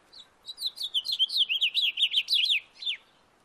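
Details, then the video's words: Backyard house finch song, a fast, jumbled warble of high, slurred notes lasting about two and a half seconds and ending with a downward slurred note, clear against a quiet background. "House finch singing sound in my backyard"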